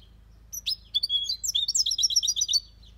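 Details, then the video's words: European goldfinch in an aviary delivering a compact copia Malaga phrase: a tumbling rush of bright, high, liquid chirps and trills over a faint low mechanical hum. "Goldfinch song/ best chirping of the goldfinch | Jilguero Cantando copia malaga/ chardonneret chante"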